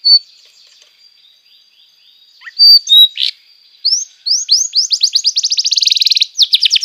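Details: Canary song played to train young canaries: faint quiet notes, two loud short high blips, then rising whistled notes that speed up into a dense, rapid rolling trill.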